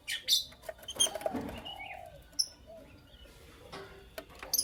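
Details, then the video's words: Pet lovebirds, Creamino and Lutino Opaline, chirping in the morning give sharp, high squeaky chirps in scattered bursts about a second apart, with soft rustling and wing flutters between them. "Lovebird Chirping Sounds"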